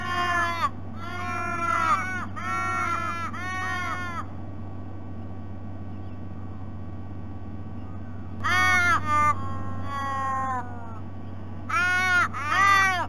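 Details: Ravens on a noisy morning visit to a sea-eagle nest at Sydney Olympic Park, Australia, on 3 February: harsh, drawn-out nasal caws in runs of three or four, one run after another, with a long gap mid-way; steady low hum throughout.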